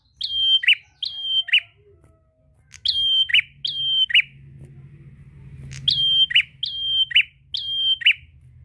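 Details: Prinia singing actively to call a rival and spur other prinias to sing. Three bursts of phrases are separated by brief pauses. Each phrase is a shrill, flat whistle with a raspy tail. Faint low noise runs throughout.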